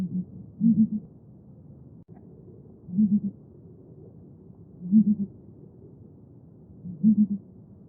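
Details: Southern ground hornbill (Bromvoël), held sacred as the rain bird by the Xhosa, booming steadily: four loud groups of low hollow notes, roughly every two seconds, each introduced by a quieter, lower note.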